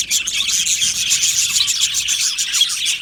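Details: Budgerigar colony in an aviary, many birds chirping and warbling at once in a steady, even, high-pitched wash of twittering.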